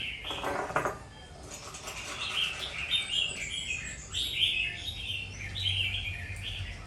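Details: Red-whiskered bulbul, a so-called warrior bird, singing: a brief rustling flutter opens, then a run of bright warbled chirping phrases repeated at short intervals, with a low hum beneath.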